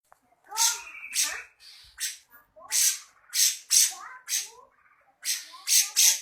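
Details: Grey-cheeked bulbul singing in full "besetan" style: harsh, buzzy bursts of chatter repeated about every half second, with lower, scratchy tonal notes woven between them and no other clear sounds.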